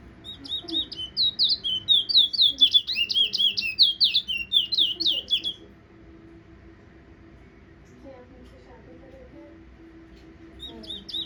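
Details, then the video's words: Towa Towa finch from Guyana whistling a fast burst of high clear notes, about five seconds of rapid slurred whistles, then near silence with faint soft sounds before another short whistled phrase begins. "Guyanese Towa Towa Finch Bird Whistling"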